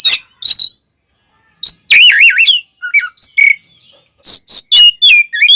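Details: Oriental magpie-robin (kacer) fighting song meant to provoke rival birds, with sharp harsh bursts, warbled wavering whistles and looping trills, broken by a brief silent gap.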